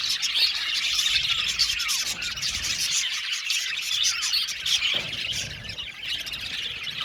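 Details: Colony of pet budgies in an aviary singing together, a steady wash of rapid, overlapping high chirps and scratchy warbles with no pause, many birds calling at the same time.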